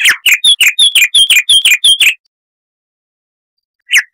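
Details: Loud, bright song of a chestnut-vented warbler, Sylvia subcaerulea, from South Africa and nearby countries: a quick run of about ten clear, repeated two-part notes, then silence and one final note.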